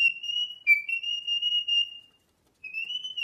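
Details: Parrot giving a long, steady, pure whistle that briefly dips in pitch. The whistle falls silent for a moment, then resumes at the same level.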